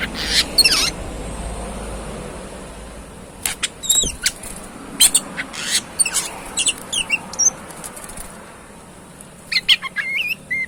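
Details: Oriental magpie-robin (kacer) singing in scattered bursts: sharp high chips and short twittering phrases separated by quiet gaps, one loud click midway, over steady low hum.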